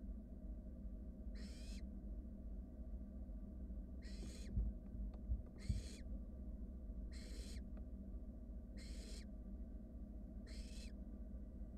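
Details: Barn owl chicks at a wild nest while one gulps down a rat; six breathy, snore-like hisses spaced about every one and a half seconds, with a few faint taps and a constant low background hum.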